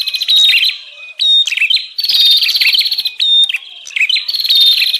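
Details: Bar-winged prinia lure call meant to attract wild birds: brief thin whistles open repeated bursts of rapid, harsh buzzy rattles and chirps, with short gaps between.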